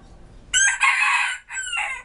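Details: A five-toed Silkie rooster crowing at 2 pm on 1 December 2014, after crowing about four times before filming and seeming to listen for other roosters: one harsh, rasping crow with a sustained middle and a falling, broken tail after a short gap.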